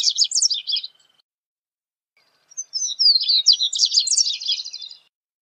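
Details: Double-collared Seedeater (corbatita) singing: a fast, high twittering phrase of buzzy warbled notes, a pause of about two seconds, then a longer jumbled run of sweet chirps and trills, with no other sounds.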